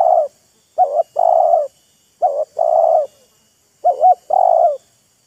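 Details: Spotted dove, a decoy bird and a wild bird trading calls, showing off, teasing and courting each other: low soft cooing phrases of two or three notes, a short double coo then a longer drawn coo, repeated three times.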